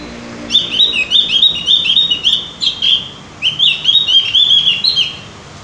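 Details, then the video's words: Javan grey-throated white-eye song used as a lure so birds sing often: fast, bright, high twittering phrases repeated in two long runs, each note sharp and chirpy, with a brief pause in the middle. "pancingan burung opior jawa atau cucak gentong agar rajin bunyi"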